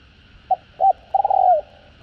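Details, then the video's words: Spotted dove, cu gáy or cu đất, in the 'giọng hạp' style, from a full calling, urging and cooing set used to stir wild-caught birds: a short note, a brief coo, then a drawn, wavering coo falling away at the end. "Tiếng Cu Gáy Giọng Hạp BổI ĐỦ BÀI [ GÁY GỌI,THÚC,GÙ ]"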